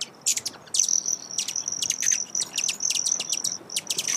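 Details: Broad-tailed hummingbird: rapid, fairly evenly spaced high clicking chips laid over a continuous, shrill, insect-like trill.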